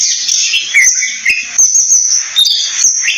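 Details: Short burst of Oriental magpie-robin song: a few clear whistled notes and slurs, some rising sharply, against a dense high-pitched insect buzz.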